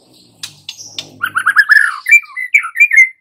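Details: White-rumped shama lure song for young wild-caught birds: a scraping noise at first, then a rapid stuttered series of notes leading into clear ringing whistled phrases.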